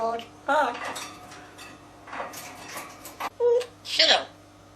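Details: Pet African grey parrot born in 1999, mimicking human speech indoors: several clear speech-like words with harmonic vowels, a dish clink and a steady low hum behind.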